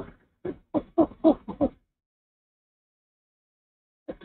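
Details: At an owl nest around 06:19 on 04/06/23, the male hooting after a rat delivery. A short burst of six quick, fairly soft hoots, then silence and one final hoot.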